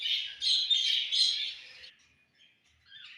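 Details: Budgerigar warbling on a summer evening, three loud pulses of scratchy, buzzy chatter over about two seconds, then near silence broken by soft chirps.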